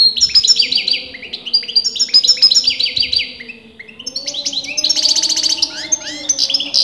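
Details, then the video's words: Nonstop singing by a caged European goldfinch whose sex breeders dispute: rapid cascades of twittering, chirping notes and a buzzy trill, with a faint steady hum underneath. "غناء متواصل لمقنين"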